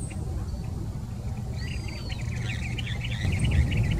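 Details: Planalto tyrannulet at Jardim Botânico, São Paulo, Brazil, 28 May 2019, giving a thin, high whistle followed by a fast, slightly rising series of short notes, over low traffic rumble.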